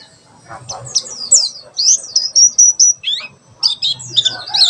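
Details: High-pitched, jumbled twittering of a pleci white-eye in the 'tembakan sejalur' style, with quick chirps, one sustained whistled note and overlapping scratchy phrases over faint low background noise. A tutor recording for birds learning song.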